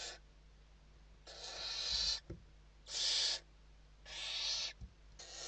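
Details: Evening feeding inside a barn owl nest in Spain, 29 November 2023: harsh hissing screeches in four to five bursts, with sharp clicks and scraping sounds between calls.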